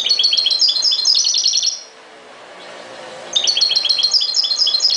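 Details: Twittering song of a European goldfinch in two fast bursts of high, liquid, tinkling notes, separated by a short pause of background hiss.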